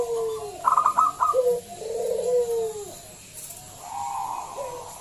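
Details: Local zebra dove with a big voice, used to draw other doves into song: a quick chattering run of notes, followed by rolling coos that fade into a softer, higher coo.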